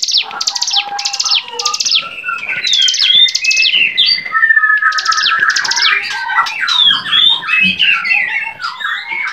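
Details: Bar-winged prinia in full varied song meant as a teaching recording for songbirds: a run of evenly spaced high buzzy bursts gives way to a tangle of twittering and slurred whistles.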